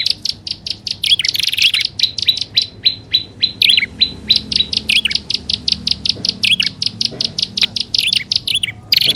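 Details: Combined prinia lure of grassland and upper and lower prenjak: a steady string of sharp high chirps with hooked rising-falling notes, about two per second, over faint low hum.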